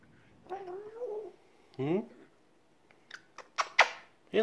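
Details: African grey parrot, over one year old, indoors with its owner, talks: a wavering voice-like phrase, a short rising note, then a run of sharp clicks and a final tonal burst in a quiet room.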